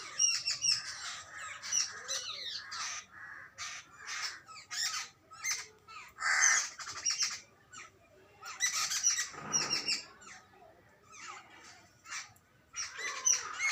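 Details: Jungle babblers, chicks and adults, calling together: dense harsh squawky chatter in rapid overlapping bursts, loud then quieter in waves, with a few higher squeaky notes.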